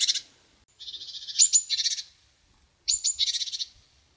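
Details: Chickadee calling: a buzzy burst, then a long low buzzy run leading into two sharp high notes and a string of rapid buzzy 'dee' notes, followed by another phrase of high notes and buzzy notes in quiet surroundings.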